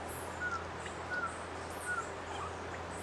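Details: An Ochre-breasted Antpitta (Grallaricula flavirostris) at Refugio Paz de las Aves, Ecuador, gives three soft, short whistles that fall slightly, about one every three-quarters of a second, over a low steady hum and faint forest noise.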